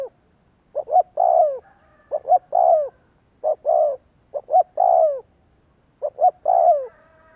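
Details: Spotted dove lure recording to trigger cooing: five mellow phrases in a row, each two clipped notes followed by a longer downward-sliding coo, evenly spaced about every one and a half seconds.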